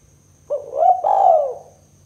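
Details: Lure call of a spotted dove, Kuk 2 style for trapping: a low coo rising into a smooth arched second coo that fades downward, lasting about one second.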